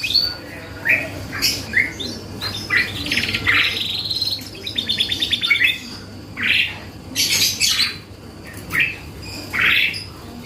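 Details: Canary singing as a lure meant to draw replies from other birds: separated bursts of sweeping notes and a fast rattling trill in the middle, phrases spaced about a second apart over a faint low hum.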